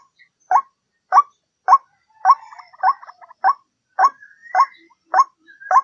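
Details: Steady series of hoarse notes from a white-breasted waterhen used to lure birds, about one every 0.6 seconds, overlapped partway by softer rapid notes and a thin rising whistle.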